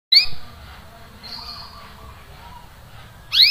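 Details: Canary giving short 'cuit cuit' calls, played to coax a silent canary into singing again: a bright rising chirp at the start and another at the end, separated by about three seconds of quiet hiss.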